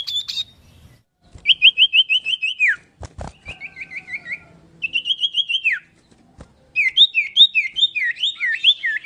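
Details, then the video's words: Common iora (sirtu or cipoh) singing a whistled song variation: phrases of rapidly repeated clear downslurred notes, each run lasting about a second and separated by short pauses, with a few sharp clicks between phrases. "VARIASI TERBAIK SIULAN BURUNG SIRTU/CIPOH VERSI OCEHAN CIPOW"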